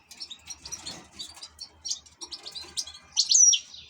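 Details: Ornamental European goldfinch song: soft scratchy chattering twitters build up, then end in a loud, clear, high whistle that slides slightly downward, with a low background murmur.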